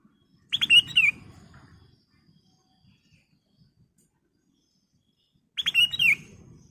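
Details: Ruby-throated bulbul singing briskly as a lure for training caged birds: two bursts of fast, sharp notes ending in a descending slur, about five seconds apart, with soft low rustling after each.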